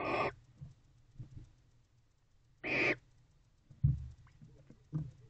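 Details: Female barn owl in a nest box at night, 3:09 am, with the pair showing renewed interest in the boxes. Two harsh, broadband hissing screeches about 2.5 seconds apart, with soft thumps and scraping movement sounds between them.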